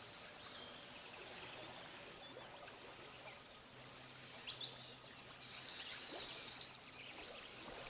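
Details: Costa's hummingbird (Calypte costae) singing: three thin, very high whistles, each sliding upward to a sharp peak and then trailing down, repeated about every two and a half seconds over quiet background.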